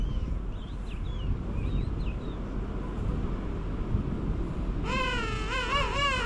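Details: King penguins courting and mating on South Georgia in January 2019; distant high chirps early, then a loud, rich harmonic trumpeting call wavering up and down in the last seconds, over constant wind rumble.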